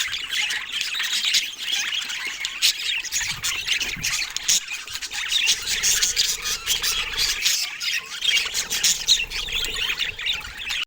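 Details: Steady twittering from many budgerigars: squeaky, buzzy chirps packed closely together over about eleven seconds, with a faint low hum in the background.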